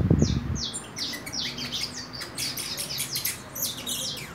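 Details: Young saffron finch at four months, beginning its nest moult: after a brief low thump, a sequence of high, sweeping downslurred notes and short twitters continues steadily.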